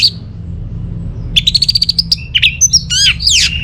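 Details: Kept orange-headed thrush (anis merah) from Singaraja, Bali, begins with a quick string of even ticking notes, then bursts into varied whistles, trills and harsh buzzy phrases, played to spur silent home birds into song.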